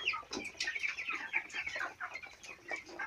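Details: A group of chicks four weeks old at a farm, giving a dense chorus of thin high peeps and chirps, many overlapping, with brief louder calls breaking through the constant twittering.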